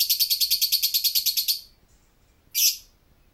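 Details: Lovebird in ngekek chatter: about one and a half seconds of fast, evenly pulsed high buzzy notes, then a pause and one short harsh burst.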